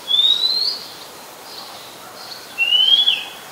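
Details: Oriental magpie-robin singing in Ubon Ratchathani, Thailand, July 2021; two long, thin, slightly rising whistles about two and a half seconds apart, the second ending in a short downturn, over quiet background hiss.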